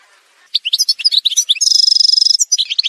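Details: Algerian goldfinch song beginning after half a second of near quiet: quick liquid twitters, then a long rattling metallic trill and a few sharp closing notes.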